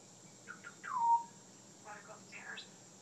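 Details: Pet African grey parrot talking at night, recorded from around a corner and behind glass: a few short squeaks and a loud falling whistle, then a burst of voice-like chatter and rising squeaky notes in a quiet room.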